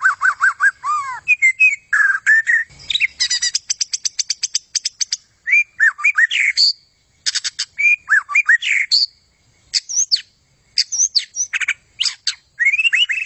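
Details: White-rumped shama in full energetic song: rich whistled phrases mixed with rapid rattling trills and sharp chips, varied and nearly continuous, with brief pauses.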